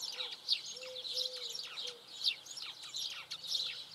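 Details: Eurasian tree sparrow, a locally occurring, uncommon sparrow, singing: busy series of short, bright chirps and tweets, often downward-sliding, repeated irregularly throughout, with a soft low whistle-like tone underneath at times.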